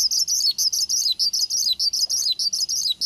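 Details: Javan bushlark, male, singing a prompting song intended to make another bushlark respond: dense high buzzy phrases in close succession, each closing with a short dipping note.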